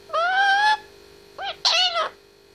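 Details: Indoor pet grey parrot aged 18 months talking: a long steady harmonic note, a short rising-falling syllable, then a longer bent word with a sharp onset, in a quiet room.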